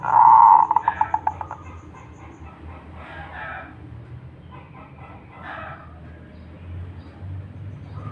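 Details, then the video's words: Local zebra dove opening with a loud run of fast, pulsing coo notes that fade over about a second and a half, followed by softer scattered background sounds. "perkutut lokal gacor / suara merbok suara perkutut merdu"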